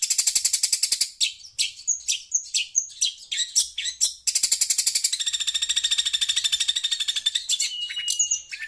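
A shrike chatters loudly in harsh, rapid high-pitched bursts, then a long buzzy trill with a few sharp whistled notes.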